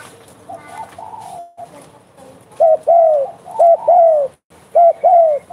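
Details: Spotted dove, vigorous singer (derkuku gacor), in bekur style: faint low coos at first, then three clear pairs of a short note and a long falling coo in the second half.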